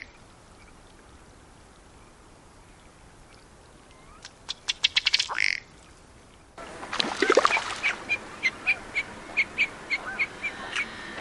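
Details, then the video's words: Ruddy Duck from Wisconsin: a quick run of dry ticking notes that speeds up into a low belch, then a steady series of short clicks about twice a second. "Bird Sounds: Ruddy Duck"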